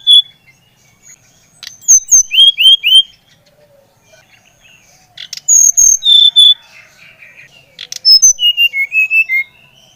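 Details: Brown-chested jungle flycatcher song, used to stimulate another bird to sing: clear high whistled notes and short slurred phrases in three bursts, some notes repeated in quick series, with quiet gaps between bursts.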